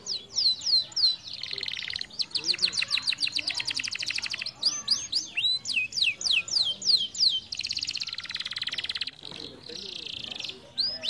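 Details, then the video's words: Canary song meant to stimulate other canaries to sing: high, fast trills and rapid repeated sweeping whistles, rolling tours alternating with sharp descending notes, continuous and bright throughout. "canários preguiçosos soam diretamente com esse"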